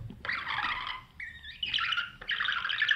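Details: Young budgerigars in a nest box, fed by the parent birds: harsh, buzzy chattering calls with a short steady whistled note in the middle, then more scratchy churring.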